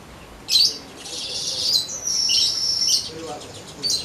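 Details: Weaver, a young untrained bird starting to sing smoothly: a sizzling, buzzy high-pitched trill held for about two seconds, with shorter wheezy bursts before and after.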